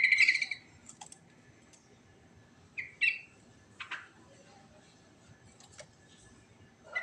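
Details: Sooty-headed bulbul in ngerol song, opening with a loud, bubbly, chattering phrase, then brief scattered chirps and sharp notes spaced irregularly, and another note starting at the very end.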